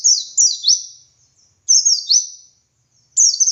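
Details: Dakun white-eye singing in the lively ngalas style, kept as a master recording for teaching other white-eyes to sing: high, thin descending sweeps in short bursts of two or three, with pauses between phrases.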